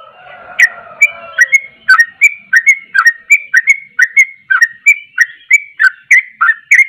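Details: A sooty-headed bulbul singing hard, described as driving other bulbuls wild: after a soft, drawn-out low whistle comes a rapid series of bright clipped whistles, about three per second, alternating up and down.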